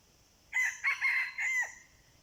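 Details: Wild red junglefowl lured with a decoy. A single harsh crow of four choppy segments lasts about one second; the last section is long and drawn out, with a faint background hiss.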